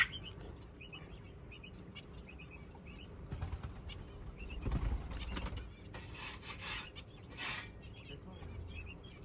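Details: Society finch chicks, a brood the owner believes numbers five, give high, thin chirps in quick double and triple bursts, over broadband wing flapping and rustling and a low background rumble.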